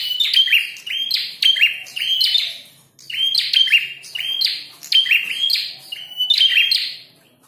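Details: A red-headed prinia fighting, calling at full volume: bright, strident chirps and whistled notes tumbling in groups, with one short pause midway before the bursts return.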